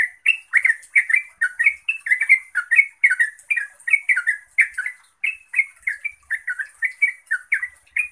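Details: Continuous song of a yellow-vented bulbul meant to make other bulbuls reply and sing: dense, bubbly chattering phrases of warbled notes following one another quickly and without pause, accompanied by faint high-pitched ticking.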